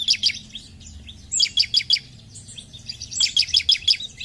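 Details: Vigorous 'gacor' bar-winged prinia song, meant to stimulate other birds to sing: rapid, rattling strings of high chip notes, the last run longer and denser.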